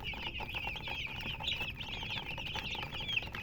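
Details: Colour chickens chirping together, a continuous crowd of high, quick, wavering peeps overlapping one another, a few sharper rising notes standing out near the middle and end, over a low steady background hum.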